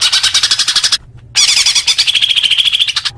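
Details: Leafbird singing, used as therapy for newly caught young birds: dense, fast chattering notes, a short gap, then a long run of quick repeated whistled and buzzy elements.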